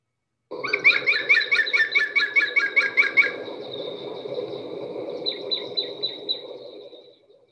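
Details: European Green Woodpecker, which hardly ever drums, gives its loud, laughing yaffle, often heard from far off: about a dozen quick, ringing notes in a fast run, then thinner trailing tones over a steady low hum.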